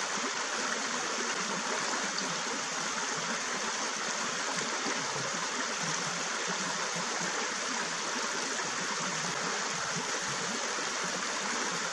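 Steady rushing water, like a stream or small waterfall, fills the whole stretch with no animal calls standing out.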